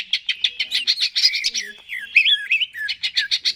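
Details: Cucak ijo song with brisk repeated chirps broken by a few looping, buzzy whistles, offered as a prompt to make a bird sing.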